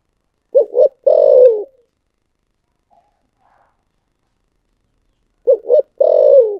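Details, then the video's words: Spotted dove singing the 'thổ sấm' voice: two quick wavering hoots followed by a drawn-out, gently falling, rough-edged coo, repeated once after a silent gap of about four seconds. "cu gáy giọng thổ sấm// chim cu gáy giọng thổ sấm chuẩn nhất"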